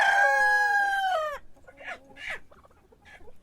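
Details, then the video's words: Rooster's morning crow ending in a long falling harmonic note, followed by brief squawks and soft clucking from other chickens. "Sonido de gallo por la mañana // Cock crowing in the morning"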